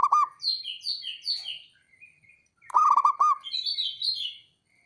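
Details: Male zebra dove calling to provoke rival birds into answering: a rapid run of stuttering low coos opens, high twittering chirps follow, then a second burst of throbbing coos and more chirping.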